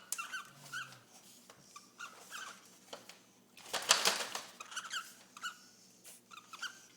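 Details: A male cockatiel mating with a female gives short, squeaky chirps with a brief scratchy, rustling burst midway; the pair has mated about eight times in three days.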